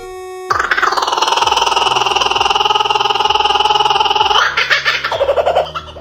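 A kookaburra's raucous laugh: rapid rolling chuckles, about four notes a second, held for several seconds, then breaking into choppy falling hoots over a faint musical tone.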